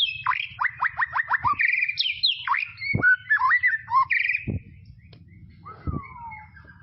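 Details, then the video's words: White-rumped shama song from tropical forest: a rapid series of sharp downward-sweeping whistles, then varied slurred and warbled notes, ending in a long falling whistle, with faint low background rumble. "BEST SUARA KICAUAN MURAI BATU HUTAN TROPIS"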